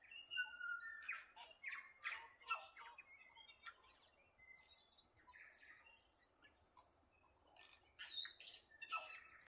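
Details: Songbirds at Waikawa deliver bursts of bright chirps and ringing whistles, loud in the first seconds, quieter in the middle, then rising again in a final flurry.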